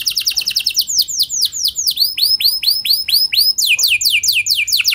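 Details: Canary singing a lure song meant to prompt other canaries to reply and sing long: rapid runs of high, sweeping down-slurred notes, changing speed between phrases, about two to seven notes per second, clean and loud.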